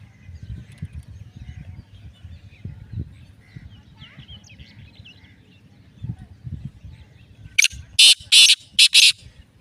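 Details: A black francolin (kala teetar) of the pure Lakka strain calls from Sindh or Punjab: four loud, harsh, grating bursts come near the end. Low murmuring voices and rustling are heard before them.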